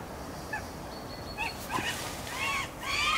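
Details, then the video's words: Northern goshawk pair waiting to mate; a few brief notes early, then louder harsh arched calls in quick succession near the end, with faint small-bird notes behind. "Goshawk pair, Hønsehauk par"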